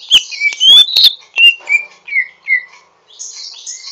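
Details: A greater green leafbird, learning to sing with a rough twitter, gives a quick series of loud whistled slurs and falling notes, roughly four per second, ending in a high scratchy chatter.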